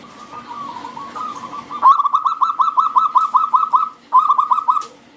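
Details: Wild local zebra dove with a strong, loud voice, singing as a lure for other doves: softer wavering coos lead into a fast run of sharp, staccato notes, a brief break, then another burst.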